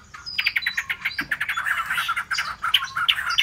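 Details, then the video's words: Dense, chattering Hwamei song: a steady stream of short, quick, jumbled notes with a thin high tone running underneath throughout. "họa mi"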